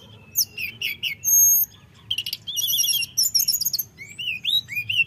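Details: Flute-like rolling song of a common iora, played to enrage rival birds: chirps and a long pure whistle, then warbling buzzy phrases and a string of rising slurred whistles.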